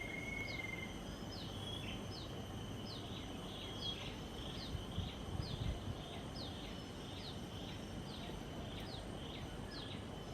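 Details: A migrant Marsh sandpiper foraging among a flock of Common Redshanks at Sungei Buloh Nature Reserve, Singapore, gives thin, high, downslurred notes, roughly two a second in a steady series, over a constant low rumble of wind or distant traffic.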